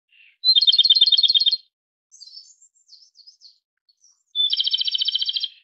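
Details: Song of a Japanese robin: a faint lead-in note, then a fast, even rattling trill lasting about a second, scattered thin high chirps, and a second equally rapid trill near the end.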